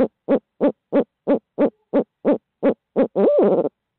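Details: Loud barred owl in Midtown Tulsa: ten brisk, deep hoots in a steady rhythm, ending in a stretched, wavering hoo-aww that climbs and drops.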